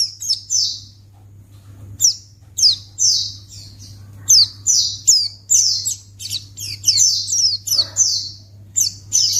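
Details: White-eye calls used as a lure to make other white-eyes respond at once: bursts of high, thin, downslurred chirps, often two or three in quick succession, separated by short pauses, over a steady low electrical hum.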